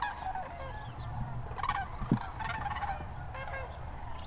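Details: Flock of sandhill cranes at Hiwassee Wildlife Refuge, Birchwood, Tennessee, in winter 2013: several overlapping rolling calls of moderate loudness over a strong low rumble.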